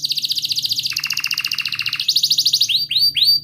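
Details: Canary song used to coax a silent canary into singing: a fast rattling trill dropping into a lower roll, then quick rising chirps repeated in a steady rhythm.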